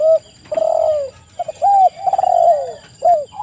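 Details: Spotted dove cooing, a lure recording meant to draw quick replies from other doves: soft, mellow coos with a rolling, stuttered middle note and a final falling coo, over faint steady electronic whine.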